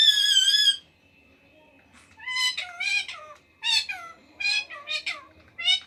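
A rose-ringed parakeet chatters in short bursts of harmonic, speech-like syllables after an opening shrill whistle, with brief pauses between phrases.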